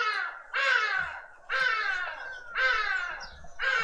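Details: Karoo thrushes at a birdfeeder in a suburban garden in Pretoria, South Africa, behaving aggressively: loud, harsh, rasping calls, each lasting about a second, repeated roughly once a second with short gaps between them.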